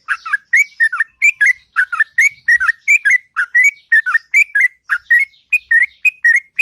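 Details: Long, sweet morning song of a sooty-headed bulbul, a steady stream of short fluty slurred whistles, each rising or dipping, repeated about three times a second without a break.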